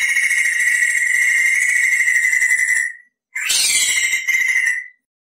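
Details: Tutor recording of a lively crested laughingthrush giving long clear rolls: a steady three-second buzzy trill, a short gap, then a second trill opening with a harsh rising burst.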